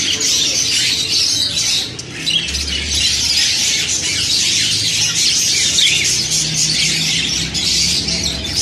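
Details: Yellow Australian parrots kept as pet birds in Khanewal, Pakistan, giving a dense, unbroken stream of high chirps and squawks for the whole recording, with faint low hum underneath.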